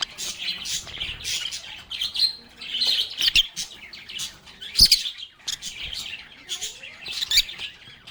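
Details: Many lovebirds talking and singing among themselves, a busy stream of shrill chirps and buzzy squeaks in waves, with occasional sharp click-like notes and short pauses.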